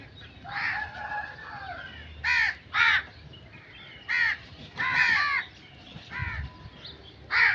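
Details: Crow giving harsh, hoarse caws, each about a third of a second long, some in quick pairs and others spaced a second or more apart, over a steady low background hum.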